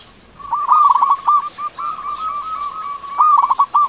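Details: Local zebra dove with a big voice, used to stimulate doves that are slow to sing. It delivers rapid staccato coos that blend into a rolling trill, then a brief pause, then a final quick run of notes.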